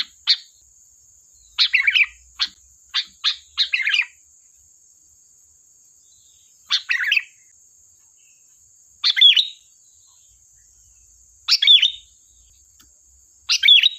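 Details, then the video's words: Sooty-headed bulbul song for luring and training bulbuls. It opens with a fast run of short chips and chattering notes, then settles into bubbly warbled phrases every two to three seconds. A constant high whine persists. "Suara burung Kutilang Gacor || tembakan tajam pas untuk pancingan"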